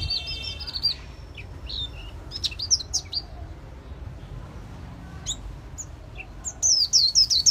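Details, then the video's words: Caged white-eye singing in the líu xòe song style, described as a bird of promising talent. High, thin chirps come scattered at first, then a louder run of sharp, descending whistled notes near the end, over a low background rumble. "Khuyên líu xòe tố chất"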